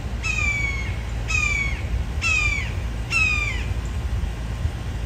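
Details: Immature red-shouldered hawk, recently fledged and hungry, gives four harsh descending screams spaced about a second apart, each note sliding downward in pitch, against a constant low background hum.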